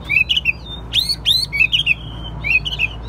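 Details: Chinese hwamei kept caged for song and contests: brief warbled whistles and two strong rising slurs over a steady low background hum.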